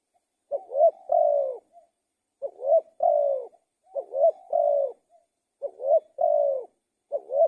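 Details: Spotted dove, the tekukur, singing steady cooing phrases, each a pair of short rising coos ending in a drawn-out falling coo, repeated about every 1.5 seconds in calm, quiet surroundings.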